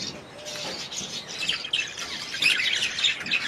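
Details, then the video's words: Budgerigar chirps and rapid twittering, quieter at first and growing louder, with sharp high chirps clustering toward the end. "Budgies sound"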